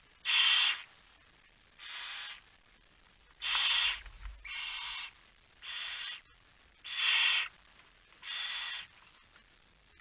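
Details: Barn owl calling during a nighttime feeding at the nest, 10 September 2019, 22:45: eight rasping, noisy hisses, each roughly half a second long, repeated about every 1.3 seconds, alternating louder and softer.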